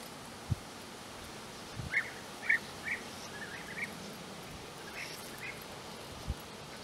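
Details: European bee-eaters near their nesting burrows in the flat landscape of Puszta Eldorado. A few short rolling calls come close together midway through, faint above steady background hiss, with scattered low thumps.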